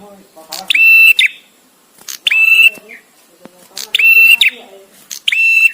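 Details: Male bar-winged prinia song, recorded for master training: four harsh buzzy ringing bursts at irregular spacing, with soft lower chattering and faint background sounds between.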